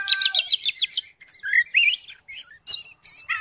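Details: Oriental magpie-robin song used to provoke a silent magpie-robin into singing: quick tumbling run of sweet whistles and chirps, then varied slurred notes and sharp high phrases, clean with no background noise.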